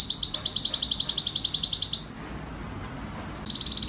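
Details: Excited male canary singing a quick bright trill of high pulses for two seconds, then a short silence before the trill starts again.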